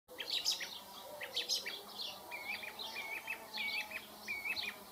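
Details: A song thrush (Turdus philomelos) sings bright, clear phrases and repeats each one: a high chirpy figure twice, then a short whistled motif four times in quick succession.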